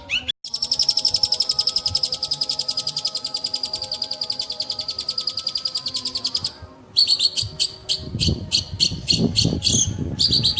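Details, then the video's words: Long-tailed shrike singing: rapid, sharp high notes repeated about four times a second for six seconds, a brief pause, then choppier bursts over low rumbling noise, with a steady faint tonal hum throughout. "BURUNG PENTET"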